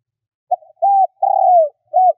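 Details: Four-part coo phrase from a spotted dove used as a decoy to lure wild birds: a brief note, an arched coo, a long slightly falling coo and a closing arched coo, clear in a quiet setting.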